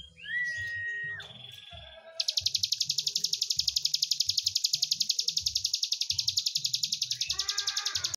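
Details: Prinia giving a long trilled song: a rapid, even, buzzy series of high notes, about ten per second, held for roughly five seconds, preceded by a few whistled notes, with low thumping noise in the background.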